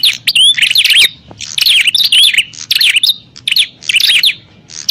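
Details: Bar-winged prinias in a fight, recorded as a lure for wild birds: rapid, jumbled bursts of high chirps and slurred whistles in loose groups, with faint low rumble beneath.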